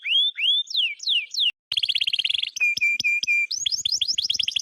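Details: Cheerful canary song: rising and falling whistled swoops, a short pause, then a rapid buzzy trill, a run of evenly repeated flat notes, and quick upswept chirps to finish.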